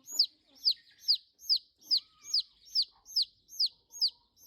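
Chicken giving shrill, downslurred peeps, about ten in a steady run of roughly two per second, with no other sounds.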